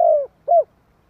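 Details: Spotted dove giving a provoking call: two mellow coos, the first longer and sliding downward, the second shorter and arched, then silence.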